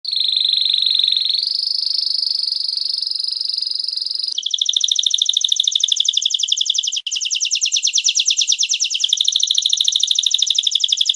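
A canary sings loud and without pause: long sustained rolling tours near high pitch, shifting into rapid pulsed trills repeated several times a second.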